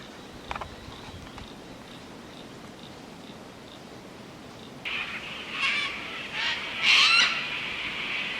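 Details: In Australian bush in the late afternoon near dusk, a Sulphur-crested Cockatoo perched high gives harsh, raspy screeches in three or four bursts over the final seconds, after a quiet start with faint bush sounds; the species is described as very loud.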